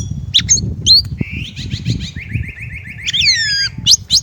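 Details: Chinese blackbird song: sharp high notes, then a long rapid series of rising buzzy slurs, followed by descending whistled strokes and closing high chips, all over a low background rumble.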